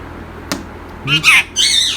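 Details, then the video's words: Indian ringneck parrot, a tame talking bird kept indoors, giving loud harsh squawky vocal bursts with speech-like harmonics around a man's voice repeatedly saying a word to it in a small room. "My Mithu Saying Assalam alaikum (السلام عليكم) | Cute urdu speaking Indian Ringneck Parrot"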